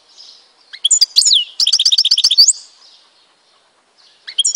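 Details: Goldfinch song from Tizi Ouzou in Algeria: liquid twittering notes lead into a fast, evenly pulsed metallic trill of about a dozen notes, then a pause and a new twitter.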